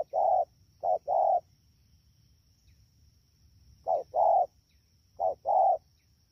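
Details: At Đak Tô, Vietnam, on 3 October 2019, a wild-caught spotted dove in fast calling style gives short-long mellow coo pairs, two quick pairs, a pause of over two seconds, then two more, with a thin steady hum behind.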